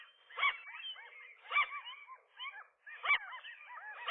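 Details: A gull pair fighting off a single gull, possibly a female, that tries to wedge between them at their nest in the morning: three loud bursts of harsh yelps, each trailing into quieter wavering calls.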